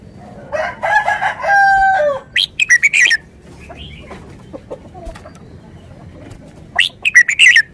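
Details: Red-whiskered bulbul giving short, bright whistled phrases in two bursts; a rooster crows loudly at the start.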